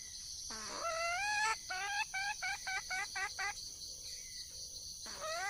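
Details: Female red junglefowl in the wild calling for a male: a drawn-out rising note, then a rapid string of short stacked clucks, a pause with faint distant calls, and another rising note, over a steady shrill drone.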